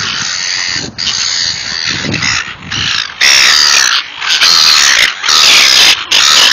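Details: Very loud, raucous squawks from seagulls being fed, coming in long harsh bursts about once a second, after a rougher, quieter opening.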